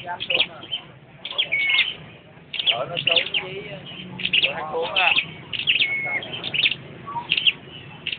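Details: Perched red-headed flowerpecker singing in repeated bursts of sharp, high chirps and brief whistled notes, separated by short gaps, with lower wavering harmonic sounds mixed in at times.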